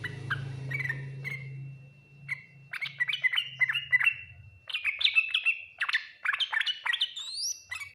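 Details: Song of a yellow-vented bulbul, the full 'ngriwik nguplik tuklik-tuklik' type that other bulbuls answer quickly: bubbly clipped notes building into dense chattering runs, a low droning hum early, and a thin rising whistle near the end.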